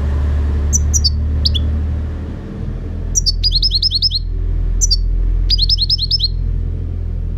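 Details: European goldfinch singing in 2018 over a steady low rumble: scattered high notes, then two quick runs of about five to six bright, repeated, downslurred chirps.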